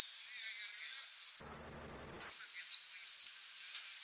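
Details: Saffron finch singing the song style called "Osama", with prio, golpe and pitada elements: sharp, high downslurred notes, then a fast buzzy rattling trill, then more quick downslurs, all clean and without background noise.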